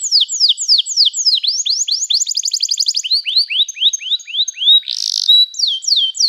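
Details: Canary singing a training song: rolling tours of high, curved whistled notes repeated several times a second. A fast rattling trill sits in the middle, with a brief buzzy burst near the end.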